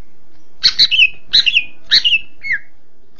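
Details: Greater green leafbird, a champion used for tutoring other birds, gives three similar bright, buzzy chirping phrases about every half second, each dropping in pitch, then a softer fourth note.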